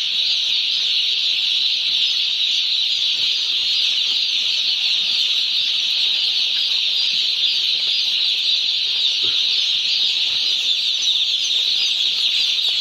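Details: Day-old chicks crowded on a poultry farm keep up a continuous high chirping chorus, thousands of overlapping peeps forming one level piercing sheet of sound with a few faint low knocks beneath.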